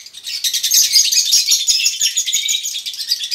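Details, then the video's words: Konslet lovebirds in a colony, female and male, ngekek chattering to spur other lovebirds: intense, unbroken high-pitched twittering and squeaky trills in quick succession, with faint ticking below. "pancingan lb konslet ngekek,lb betina konslet & lb jantan konslet bahan ngekek koloni"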